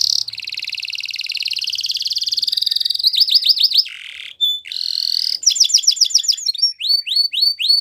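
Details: Morning song of a yellow canary: a long rattling trill, then a sequence of varied phrases, rolling notes, a pure whistle, quick chirp series and short sliding notes.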